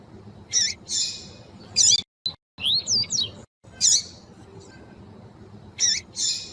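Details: Female double-collared seedeater calls, aimed at getting males to sing: harsh high chips mixed with a short run of quick rising slurred whistles, in irregular bursts with brief gaps.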